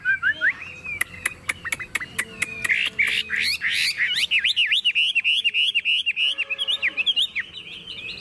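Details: Caged Chinese hwamei singing vigorously as its cage is rocked by hand: a few sharp clicks, then a long, fast run of repeated slurred whistles, bright and rhythmic.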